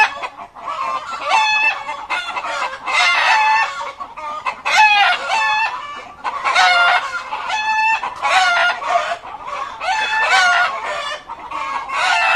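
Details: Many chickens calling loudly inside a chicken coop: overlapping harmonic clucks and squawks in bursts every second or two, some drawn-out crowing-like cries, a constant dense chorus with brief dips between bursts.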